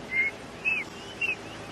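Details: During a sunrise July safari drive in Sabi Sands, amid alarm calling at a harrier hawk, a Black-backed Puffback gives three short, high, slightly arched whistles about half a second apart over faint hiss.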